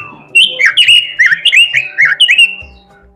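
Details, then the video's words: Robin singing steadily and melodiously with imitations: a quick burst of about a dozen loud, scratchy, downward-slurred high notes, then fading quiet. "robin suara merdu gacor isihan"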